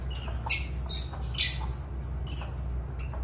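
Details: Lovebird calls: three sharp, scratchy squeaks close together early on, then quieter chirps, against a constant low background hum.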